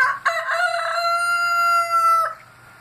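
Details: Rooster giving its morning wake-up call: a stuttering start breaking into one long, sustained, strongly harmonic crow held for about two seconds before cutting off, with a low steady hum underneath.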